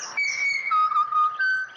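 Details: Pied butcherbird in Australia singing a short phrase of pure, flute-like whistled notes: a long level high note, then lower sustained tones that step up slightly at the end.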